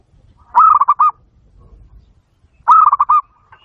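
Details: Local zebra dove song used as a training lure to make other zebra doves answer: two loud bursts of rapid staccato cooing notes, each opening with a longer note and followed by a short trailing tone, with faint low rumble between.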